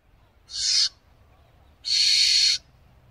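Barn owl giving two harsh, hissing screeches, a short one and then a longer drawn-out one about a second later, with a faint low rumble underneath.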